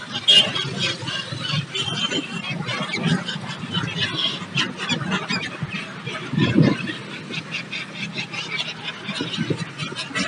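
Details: A large flock of migratory gulls, newly arrived for winter on the Tapi coast at Surat, Gujarat, keeps up a constant overlapping chatter of harsh, squealing cries. Low rumbling background noise and possibly faint voices are heard.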